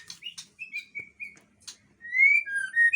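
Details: Agitated long-tailed male white-rumped shama sings clear whistled notes: a few short slurred phrases, then louder, richer rising-and-falling whistles with overtones near the end, in an otherwise quiet setting.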